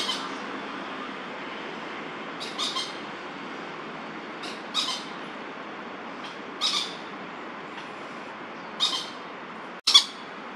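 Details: Crested goshawk (Accipiter trivirgatus) alarm calls in Da'an Forest Park, 30 September 2022: two males squabbling territorially with harsh, squawking notes repeated about every two seconds over steady background hiss.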